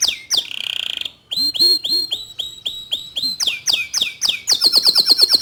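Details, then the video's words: The local canary, white in colour, gives falling notes and a buzzy rolled tour, then a series of repeated upslurred syllables, and finishes with a very fast high trill. "Kicau Kenari Lokal Warna Putih Suaranya Mantul"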